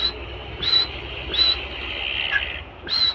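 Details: High, clear whistles from a captive female francolin (teetar), spaced under a second apart, with a soft murmur and low rumble behind.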